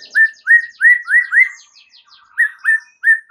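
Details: White-rumped shama song serving as a provoking lure: a series of clear, rising whistled notes repeated about three times a second, with faint high ticking above and a brief pause midway.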